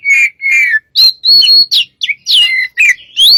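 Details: Oriental magpie-robin (kacer) song used to draw other birds into singing: two drawn-out falling whistles, then a level sustained whistle, quick downslurs and a final rising whistle, all clean and loud.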